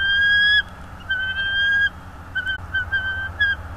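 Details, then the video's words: Bald eagle at a wild nest in north east Florida, recorded by a nest camera on 24 January 2022 at 16:40: clear, level whistled notes, two long held ones followed by a series of shorter repeated piping notes, over a steady low hum. "Bald Eagle Cam"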